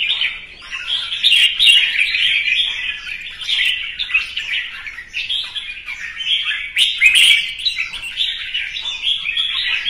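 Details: Red-whiskered bulbul morning song, singing competitively against another bird: a continuous stream of bright, warbling chirps and quick whistled phrases, busy and high-pitched, with no pauses.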